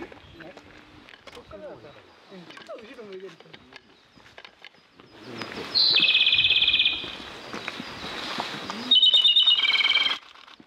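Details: Japanese robin at a mountain pass sings twice after a stretch of faint low warbled sounds and clicks: each song is a high whistled note then a fast, evenly pulsed rattling trill.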